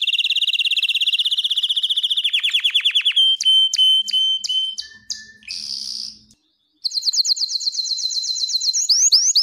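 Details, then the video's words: Singing canary used as training song and to excite hens for breeding: a long rapid trill that slows into spaced sweeping notes, clipped chips and a buzz, a silent gap, then renewed fast trilling with rising slurs. "تغريد كناري للتسميع و تهييج الانات للتزاوج حصريا - canary singing training"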